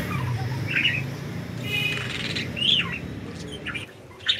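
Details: Freely flying budgies produce short squeaky chirps and a buzzy, harmonic call, with the notes spaced irregularly over a low rumbling background.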